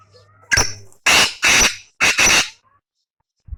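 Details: Loud grating call of a black francolin: a short opening note, then four harsh, rasping syllables in two tight pairs over about two seconds, with faint low hum before and a soft thump at the end.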